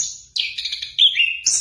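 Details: Orange-headed thrush song: brief phrase of clear whistled notes sliding downward, then a high buzzy burst at the end, with no other sounds.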